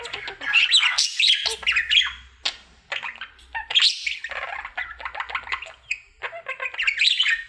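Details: Pet budgerigar, a male kept indoors, during his daily singing routine; a rapid, chattering warble of high chirps, clicks and squeaky whistles in quick bursts with brief pauses, and a faint low hum beneath.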